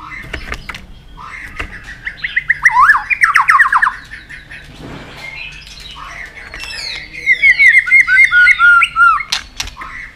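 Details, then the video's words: White-rumped shama roused into vigorous singing on its perch: sharp ticks open into a fast warbled phrase, a pause, then a bright series of quick repeated whistled notes sliding downward. "chòe lửa đập tạch cực sung"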